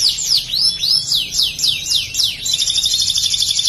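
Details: Canary singing song material imitating a bar-winged prinia (ciblek): high, sweeping downward notes about four times a second, then a fast, shrill, buzzy trill; no other sounds.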